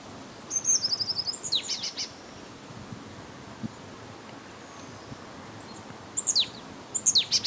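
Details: Marsh Tit calling in winter during a cold spell from Russia, Limousin, France, 8 February 2012; high thin notes, a short descending trill of repeated chips near the start, then brief high sharp calls near the end, over quiet background hiss.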